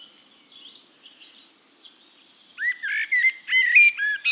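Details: Eurasian blackbird at Castricum, the Netherlands: faint high thin notes from other birds, then a full fluting phrase of rich whistled slurs with a high squeaky finish.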